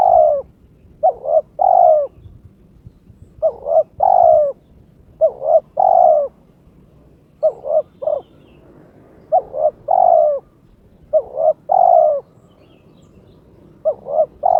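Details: Kept spotted dove in breeding condition challenging a rival, repeating a low, mellow cooing phrase about every two seconds, each of two or three short hoots and a longer sliding coo, over quiet background.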